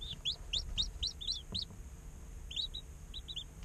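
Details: Day-old chickens peeping in an incubator: a quick string of loud rising chirps, then a pause, then softer scattered peeps, over faint low background noise.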